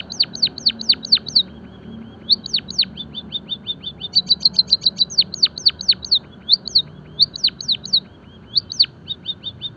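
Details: Java sparrow song used for training other birds: rapid, high, thin chirps and quick downward-swept squeaks strung together almost without pause, over faint background hiss.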